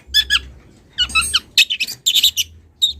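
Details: Young wild long-tailed shrike calling a rival. Two squeaky harsh notes, then a buzzy grating phrase, then a cluster of loud, shrill rasping chirps and a final single note. A faint low hum sits in the background.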